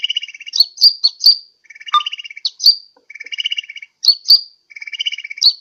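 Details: Lure call of a sunbird used to attract birds, Sukabumi, Pajampangan: lower buzzy rattles alternate with sharp, high slurred chips in a loose, uneven pattern.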